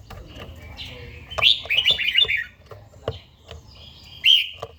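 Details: Older captive red-whiskered bulbul with a forest-type voice, singing in the morning during daily song training. Bright whistled phrases, rising then warbling, come in two bursts separated by a pause, with sharp clicks and taps in between.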